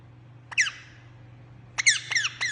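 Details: Pet green parrot kept indoors, giving a single high squeak, then a quick burst of three shrill, downward-sweeping squeaks over a low steady hum.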